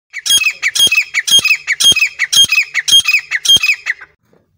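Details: Grey francolin, locally called safed teetar, at Sariska National Park: loud, shrill, harsh notes in quick repeated phrases, about two per second, ringing and high-pitched, running for four seconds before stopping abruptly in a quiet setting.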